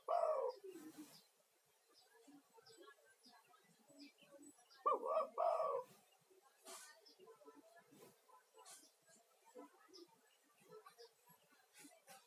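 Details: Spotted dove male in full voice, a lure call to attract other doves and relax stressed caged ones; a coo opens, a double coo follows mid-way, with light clicking and tapping throughout.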